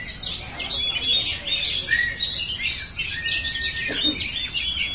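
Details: Long unbroken oriental magpie-robin song of quick high chirps, buzzy trills and a few drawn-out clear whistles, dense and lively from start to finish.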